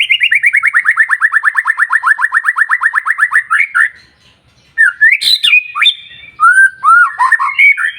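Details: White-rumped shama song used to provoke other shamas: a fast trill of about thirty repeated notes slowly falling in pitch over three seconds, a brief silence, then loud slurred whistles and a harsh burst.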